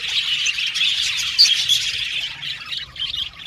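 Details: Budgerigars calling to find company, rapid high chirps and harsh squawky notes piled together, loudest in the middle and then easing to scattered chirps.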